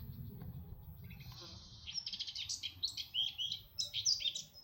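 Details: Red-backed shrike, Artomaña, Orduña, Bizkaia, Spain, 2025: fairly quiet, buzzy and scratchy chirps building into quick squeaky notes over a steady low rumble.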